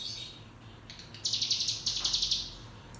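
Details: Cigun song used as a lure to train young birds to sing, with two bursts of rapid, high, chattering notes repeated about four times per second over a low steady hum.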